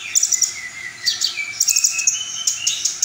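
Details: A brief burst of brown-throated sunbird song from a full repertoire. High twittering notes sit over a long, gently wavering lower whistle that rises in steps.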